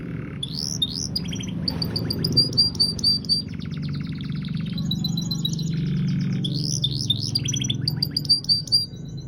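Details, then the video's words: Canary in long-duration song: fast, high, rolling trills and rapid repeated buzzy notes in sustained phrases, over a loud low rumbling musical background. "KICAU KENARI DURASI PANJANG"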